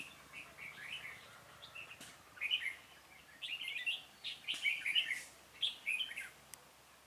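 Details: Trapping session, 26 February 2018, with a Red-whiskered bulbul decoy singing to call wild birds: separate cheerful whistled phrases about once per second, rising and falling, growing stronger toward the end.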